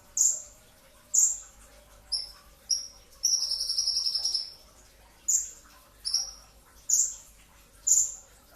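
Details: Brown-throated sunbird with dense 'shot'-style song at the pre-dawn meal hour. Crisp, very high descending notes, about one a second, are broken midway by a second-long buzzy, rattling trill.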